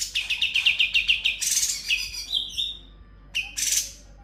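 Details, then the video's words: Sooty-headed bulbul in ngebren song with konin, kapas tembak and kunti fills opens with a rapid series of about ten clipped chirps, followed by a harsh buzz, a few scattered chirps and a rasping note. "Cucak Cungkok Full Ngebren Isian Konin Kapas Tembak Kunti"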